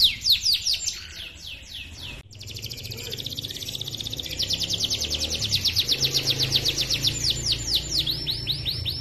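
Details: A canary (Serinus canaria) sings a long, rolling song of rapid high chirps and trills, running almost without pause, over faint low background noise. The song is used as a lure to train other canaries to sing.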